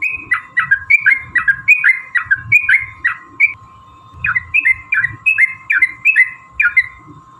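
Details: Yellow-vented bulbul pouring out a long fighting song to goad other bulbuls into singing; fast runs of liquid chirping notes, a brief pause near the middle, then another burst, with a low hum and muffled knocks behind.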